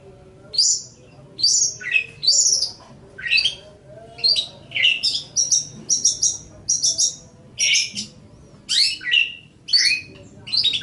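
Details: Caged Long-tailed shrike singing for training other birds: a steady stream of high, clipped chirps and downward-slurred notes, some doubled, with a quiet hum underneath.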